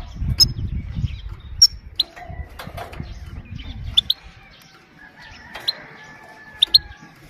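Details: High, sharp 'pit' calls of a calm female goldfinch, meant to stimulate males and train young birds, given singly and in close pairs, with a low fluttering rumble in the first half.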